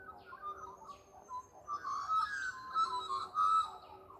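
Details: A Laughing Kookaburra in Yakandanda around 7:30 on a nice early morning gives a bubbling, chuckling run of notes that builds louder toward the end, heard on a walk among magpies and other birdsong.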